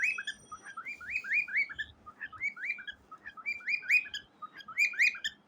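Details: A cockatiel sings to a gray baby cockatiel, looping a phrase of upward-sweeping whistles and chirps roughly every second, with a faint background hum and soft low thumps.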